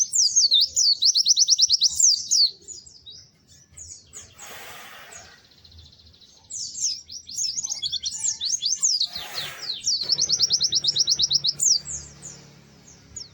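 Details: White-eye singing a sweet, lively song: high, thin slurred notes in fast descending runs, a pause with soft rustling, then another long chattering burst of rapid high notes.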